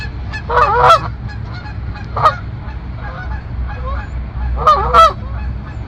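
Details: Canada goose calling outdoors on a sunny day: loud, nasal honks in bursts, a doubled honk near the start, a single honk midway and another doubled honk near the end, over a steady low rumble.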